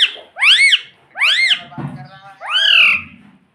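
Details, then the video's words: Talking pet parrot saying "mummy" in three loud, arched, squawky syllables, the last drawn out, with a low thump between them indoors. "mummy bolne wala tota"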